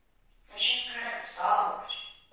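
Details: Talking parrot in Turkey utters a short speech-like phrase of about two seconds, voice-like and harmonic, with bright upper tones and a rise and fall in pitch, against a quiet background.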